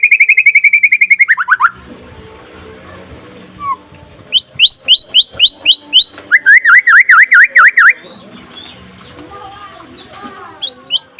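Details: Daytime singing of a white-rumped shama (murai pastol, trotol style), played to make other shamas sing: rapid trill, falling slur, a run of upswept whistles, buzzy V-shaped notes, then quieter gap and a few rising notes.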